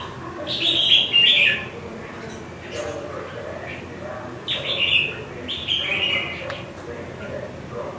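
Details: Caged red-whiskered bulbul, kept five months in a cage, sings short bright warbled phrases around the upper-middle range, one burst near the start and two more a few seconds later, with quiet room noise between them.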